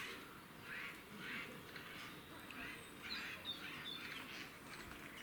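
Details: Four Eurasian jays fighting in Cambridge, UK, on 9 April 2020, trade harsh, rasping screeches and odd croaking notes in quick bursts, overlapping as they squabble, with a low background rumble.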